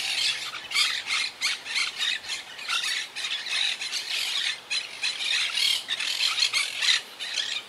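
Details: Wild Quaker parakeet colony nesting high in trees, rebuilding since hurricane Irma in 2017: shrill, raspy screeches and squawks repeated in quick pulses about twice a second, many birds overlapping in a noisy chorus.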